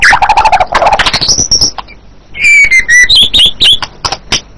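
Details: White-rumped shama song: quick clicking chatter and rapid notes, then a high drawn-out whistle, followed by clear descending whistles and chirpy phrases.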